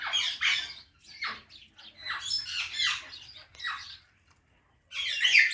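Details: Several harsh, scratchy parrot squawks with downward sweeps, separated by short silences, ending in a loud rasping burst.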